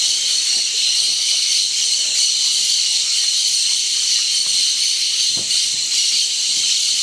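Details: A large flock of cobalt-winged parakeets at a Napo salt lick in Yasuni, March 2015, makes a dense, unbroken wall of high, hissing chatter with no single calls standing out.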